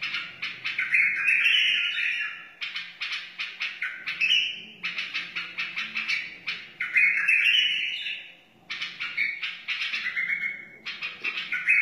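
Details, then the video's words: Wild white-eared bulbul singing, used for teaching chicks and stimulating other bulbuls: dense, rapid run of bright chirps and warbled, slightly rising phrases, nearly continuous with brief pauses, notes packed several per second. "تغريد بلبل وحشي بدقة عالية اصلي لتعليم الفراخ و تحفيز البلابل"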